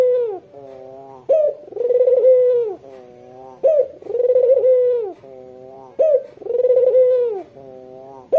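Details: Barbary dove, white with red eyes, calling to lure local doves: a steady rhythmic cooing, a short rising note followed by a long rolling coo, the pattern repeated about every two and a half seconds, indoors and clean.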